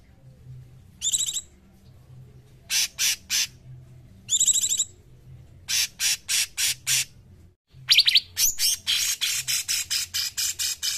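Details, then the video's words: Cungkok bird sings grouped harsh high bursts and ringing harmonic notes, ending in a quick run of buzzy chirps, for training songbirds. "Masteran Cungkok"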